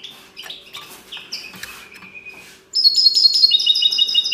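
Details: Caged common linnet trained to sing a goldfinch-style song: faint thin phrases at first, then from about 2.7 seconds a loud, rapid run of bright, ringing twittered notes with a steady low hum beneath.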